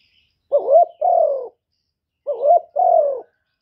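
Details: Two matching phrases from a decoy spotted dove luring wild birds, each a short wobbly rising note followed by a longer mellow coo sliding slightly downward, about two seconds apart.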